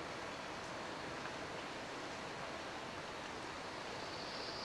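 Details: Steady broadband hiss like rushing water or surf fills the whole stretch, with no animal calls standing out.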